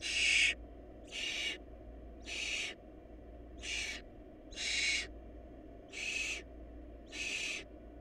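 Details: Hungry barn owl nestlings in a food-short nest produce seven raspy, snore-like hisses. The first is loudest, and the rest are roughly evenly spaced about a second apart, with a steady low hum behind.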